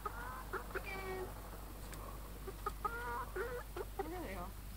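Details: Free-range chickens on a farm in Ontario, Canada, giving a run of harmonic clucks and drawn-out, wavering calls, some rising and falling, with low background hum throughout.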